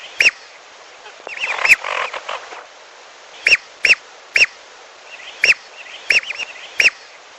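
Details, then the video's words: Lesser whistling duck calling, played as a lure for hunting at a fish pond: crisp, high whistles spaced about half a second to a second apart, with a cluster of excited chattering whistles near the start. "Pikat Burung Belibis Piolo"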